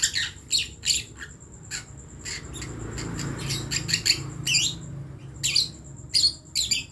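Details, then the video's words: Lovebird chick practising its first sounds: short, harsh, high squeaky bursts repeated irregularly about once or twice a second, over a faint constant high-pitched whine. "Ketika anak burung Lovebird belajar untuk bunyi"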